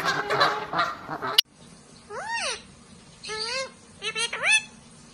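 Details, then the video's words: A goose gives three nasal, arching honks spaced about a second apart, after a brief burst of rough, noisy sound at the start. "Known animal sounds: goose"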